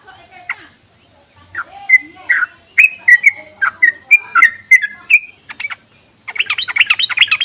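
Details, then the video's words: Yellow-vented bulbul calling, played as a lure to coax other bulbuls into song: scattered soft notes, then a quick series of bubbly whistled phrases, ending with a harsher burst of rapid chattering. "ropelan dan panggilan burung trucuk ini sangat memikat bagus buat pancingan trucuk malas bunyi"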